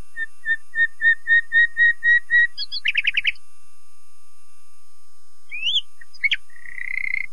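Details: Nightingale song opening with a crescendo of about ten piping whistles, then a dense rattling burst, a pause, upslurred whistles, sharp clicks and a closing buzzy trill, clean and without background sounds.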